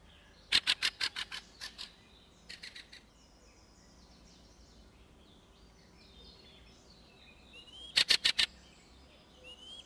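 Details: A fieldfare (Turdus pilaris) at a Russian forest edge gives harsh, dry chack-chack bursts in quick runs of six to eight, with faint squeaky notes between them and soft background ambience.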